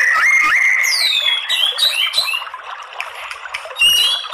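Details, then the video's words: White-rumped shama singing as a lure for provoking males to fight-sing; varied whistles with swooping descending notes and quick twittering phrases in a dense, lively stream. "MURAI BATU apa saja jadi FIGHTER NGELAWAN GACOR OWOR OWOR ¦ PANCINGAN MURAI"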